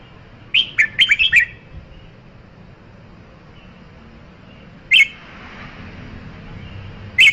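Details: Red-whiskered bulbul: one rapid phrase of several warbled whistles, then two isolated loud whistled notes a few seconds later, over a soft hiss.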